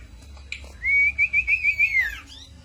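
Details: Cito bird song used as a lure or master for training songbirds: one long, high, wavering whistle that trills in pitch before sliding downward, with faint chirps before and after.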